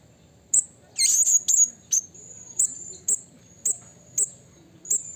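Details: Call of a wild blue-crowned hanging parrot challenging a rival: a rapid cluster of shrill squeaky notes, then evenly spaced piercing high 'tsi' notes roughly twice a second.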